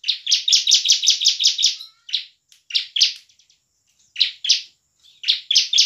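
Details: Bar-winged prinia in emotional ngebren and nembak song, a lure for unwilling singers: a fast rattling run of about nine buzzy notes, then scattered pairs of sharp chips.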